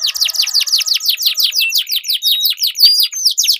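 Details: Duelling canary song with long rolls, used to stir silent birds into singing and to tutor competition birds; steady rapid series of high downslurred notes with a few thin whistles laid over them.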